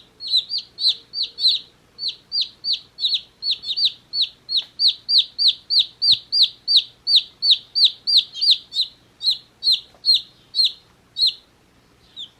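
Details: Chirping from baby chicks a day old, a fast continuous stream of shrill falling peeps, roughly three per second, over a quiet background hum.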